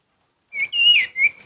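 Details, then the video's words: Orange-headed thrush giving a single short phrase: a long sliding whistle that rises, then drops, followed by two brief clear notes. "Anis merah gacor Mendongkrak emosi"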